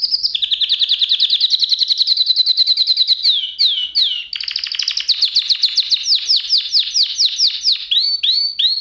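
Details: Canary song used as a singing lesson for canaries, not a nightingale: a long, even trill of fast repeated high notes, brief swooping phrases, and further rapid rolling trills.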